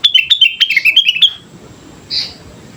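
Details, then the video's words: Sooty-headed bulbul singing as a lure: a rapid string of about ten bright, slightly descending whistled chirps lasting over a second, then a pause and one softer single note. "pancingan suara burung kutilang gacor"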